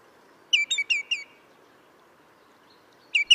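A Common Greenshank gives ringing, down-slurred whistled 'tew' notes in a quick run of three or four, then two more, over a faint steady background hum.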